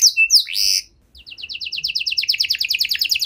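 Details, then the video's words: Canary song used to coax stalled canaries back into song: a few swooping whistles and a buzzy note, a short pause, then a quickening series of short notes. "Kenari Gacor Durasi Panjang Cengkok Istimewa! Efektif Buat Memancing Kenari Macet Biar Gacor Kembali"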